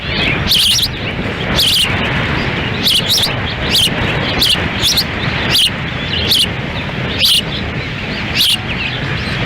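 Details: Ospreys feeding chicks at their nest in Lolo, Montana, on a gusty June 10, 2017, male standing by; a long run of high, piercing whistled chirps, irregularly spaced about a second apart, over heavy wind noise.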